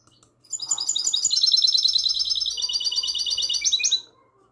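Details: Goldfinch hybrid delivering classic song on the night of 22 March 2020: a long, rapid series of high, bright, bubbling trills and chirps, with slight shifts in tone partway through, lasting about three and a half seconds.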